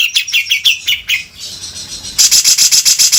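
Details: Grey-cheeked bulbul (cucak jenggot) in harsh 'beset kasar' song used as a tutor recording: a quick descending series of slurred notes, a brief lull, then a fast run of very high rasping chips.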